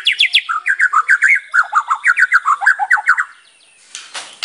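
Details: White-rumped shama in lively full song, used as a lure to spur other shamas: a fast run of about sixteen short chirping notes over three seconds, rising and falling, then a burst of rustling noise.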